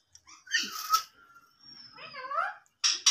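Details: Talking ringneck parakeet mimics words: a harsh, harmonic phrase, a long thin whistle, rising speech-like syllables, then two loud abrupt bursts at the end.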